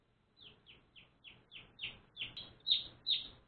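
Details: Newly adopted one-day-old pet baby chicks give clear, high peeps that each slide downward, repeated about every third of a second and growing louder toward the end, with a faint low hum behind.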